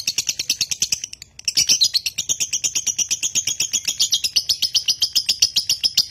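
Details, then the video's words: Caged konslet-style lovebird from Nganjuk singing at length. Fast high chattering notes pause briefly near one second, then resume as a loud, rapid, scratchy trill that continues without stopping. "LOVEBIRD KONSLET"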